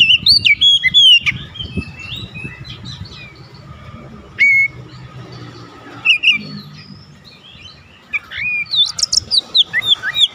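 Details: Challenging rival song of an Oriental magpie-robin (kacer), meant to make another bird emotional: short bursts of bright whistles and chips at the start, middle and end, with noisy low rumble and a steady hum between them.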